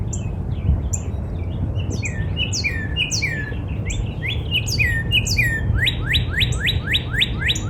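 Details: Northern cardinal singing in a spring backyard: mixed falling slurred whistles among high chips from other birds, ending in a fast even series of rising whistled notes about four a second.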